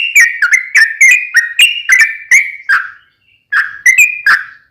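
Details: Sooty-headed bulbul in constant song, used to lure other bulbuls into singing: a string of liquid whistled notes with crisp onsets and small pitch slides, about three per second, then a pause and a few final notes.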